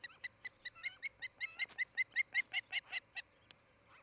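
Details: Osprey on a nest in Charlo, Montana, captured by a nest cam on 23 July 2018 around mid-morning: a rapid, even series of bright, piercing whistled chirps, about two or three per second, growing louder, then a brief pause.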